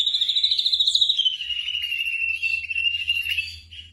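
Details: A black drongo, recorded as training audio for caged birds at night, gives a sustained, slightly descending whistled tone with a fast flutter running through it for about three and a half seconds.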